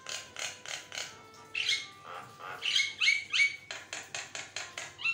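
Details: Javan myna in full song, used as a lure to prompt other mynas to sing, giving harsh, rasping chatter notes about three per second, broken by a few squeaky whistled phrases.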